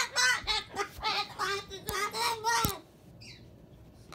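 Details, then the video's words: Gotcha, a pet Moluccan cockatoo, babbles in rapid, voice-like syllables with harmonic, speech-like tones and a few sharp clicks, then falls quiet to faint high chirps. "What is this crazy bird talking about??"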